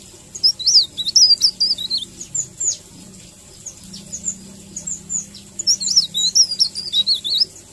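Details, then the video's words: Melodious 'ngerol' song of a leaf warbler: very high, squeaky notes twisting up and down in quick chattering phrases, with a quieter stretch mid-way before a busy final flurry. A low hum sits underneath. "Suara ngerol merdu Cikrak daun"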